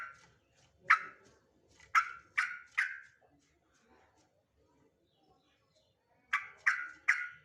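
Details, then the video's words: Male sooty-headed bulbul giving short, harsh, explosive notes that fade quickly: one note, then a tight group of three, a quiet gap, and another group of three near the end. "trucuk jantan"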